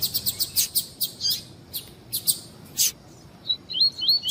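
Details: Warm-up recording of a double-collared seedeater (coleiro tui-tui) for breeders' tournaments: rapid sharp chips at about four per second, scattered buzzy bursts, then a final run of wavering rising whistles.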